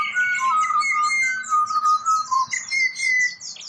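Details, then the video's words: Pied butcherbird serenading someone in Australia, with loud, pure, flute-like whistles held and gliding between several pitches in a steady, melodic phrase, and high twittering birds above. "Serenaded by Pied Butcherbird"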